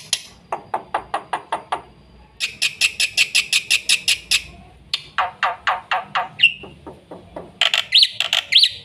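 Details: Black-winged myna, a fast full song for luring and tutoring young mynas: bursts of harsh, rasping, evenly spaced notes in quick runs of about eight, with a brief high squeal partway through.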